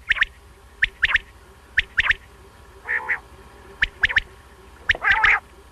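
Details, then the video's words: Common quail giving sharp, clipped three-note phrases, roughly one per second, with a couple of softer, nasal, buzzier notes mixed in. "Batair ki awaz"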